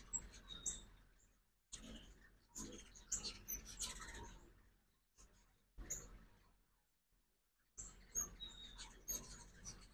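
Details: Several ruby-throated hummingbirds visit a feeder during 2024 fall migration, morning, in Oxford, Mississippi; thin high-pitched ticks and squeaky chatter arrive in short bursts separated by quiet gaps of about a second.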